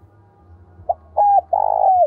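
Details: A single cooing phrase from a decoy spotted dove with a 'thổ' voice, used to provoke rivals: a short note, a flat clear coo, then a long burry coo fading downward. A low hum lies underneath.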